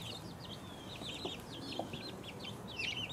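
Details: Two-week-old chicks give thin, high chirps in a fairly even series of short downslurred peeps, ending with a louder, more complex call.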